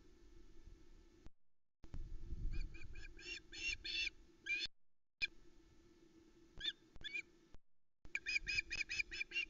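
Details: Nest camera at Loch Arkaig, 17 August 2020, where young Ospreys scream for fish: irregular clusters of short, shrill piping notes broken by gaps, with steady low background hum and wind noise.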